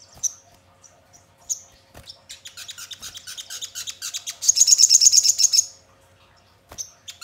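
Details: Sogon singing, recorded as a lure to prompt other birds to sing and answer: scattered high chirps build into a loud, fast, ringing trill of about a second, then isolated sharp notes.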